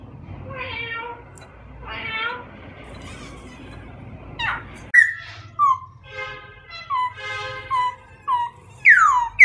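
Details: White-crested laughingthrush: two soft, rough harmonic calls over a noisy background, then a sharp entry of loud whistles, descending slurs and chattering harmonic notes, finishing on a strong downward sweep.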